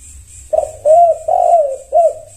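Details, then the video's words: Spotted dove (tekukur) calling back to another bird: a short note then three rounded coos, the middle one long and sliding down, evenly spaced; faint rhythmic high hiss in the background. "Semua tekukur wajib ain merespon 100% NYAUT"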